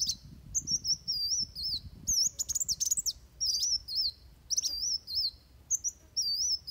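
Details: Fighting song of Van Hasselt's sunbird for training birds: very high wavy whistles alternate with bursts of sharp staccato ticks.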